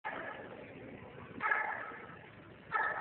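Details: Unidentified bird at the Smithsonian Zoo in Washington, DC, recorded by phone, giving loud, harsh screeches that grow louder: two rough, noisy bursts separated by a background hum.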